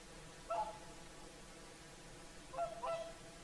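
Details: Whooper swans on the Lake Saimaa shore, Finland, at sunset in the evening: a lone trumpeting honk followed two seconds later by a quick double call, with soft ambient hiss.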